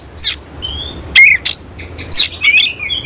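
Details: Semi cililin oriental magpie-robin in ngobra display with its tail fanned, singing nembak style. Short, separate bursts come roughly once a second: crisp upslurred whistles and rasping clicks, with quiet moments between them.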